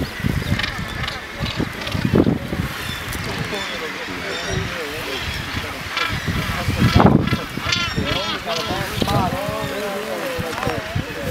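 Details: Common murres at the Cape St Mary's colony, including an adult pair with a chick, fill the colony with overlapping harsh, wavering growls and moans, rising and falling, over steady wind rumble.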